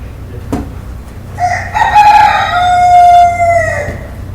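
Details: Morning crow of a rooster, preceded by a sharp click. A single long, rich crow follows, rising briefly and then held level before trailing off, over faint low background hum.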